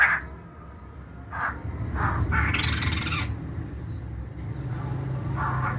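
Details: Kept masked laughingthrush giving coarse, crow-like chattering notes: short rasping bursts, then a longer grating burst in the middle, and a final short note, against constant low-pitched background noise.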